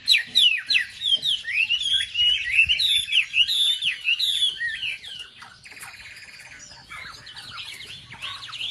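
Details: Wambi song meant to rouse the emotions of other wambi birds: dense, fast warbled twittering with quick up-and-down notes, shifting after five seconds into a buzzy trill and scratchy phrases.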